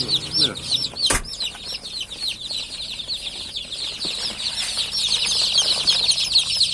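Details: Many freshly hatched chicks peep continuously: shrill, rapid falling chirps pile into a busy, unbroken chorus, with a sharp knock near the start and low background hum.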